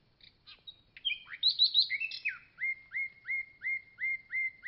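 A common nightingale sings a quick jumble of sharp chirps and rich trills, then a run of eight loud, upslurred whistles repeated about three times a second.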